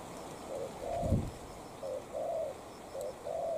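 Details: Decoy spotted dove challenging a wild one: paired low coos, a brief note followed by a drawn-out rolling one, repeated three times, with a single low thump near the start.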